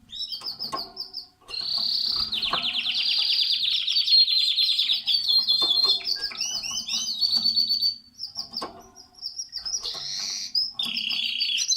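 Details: At the nest, a canary pours out long rolling trills and rattles, broken by clear whistled notes and down-slurred chirps, with brief pauses near the end; a low hum is faintly audible.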